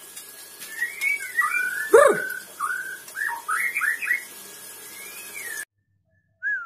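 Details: White-rumped shama of the Sabang type singing a run of clear whistled phrases, short slurred notes rising and falling in quick succession, broken by one sharp thump near the start, then a brief silence before a final whistle.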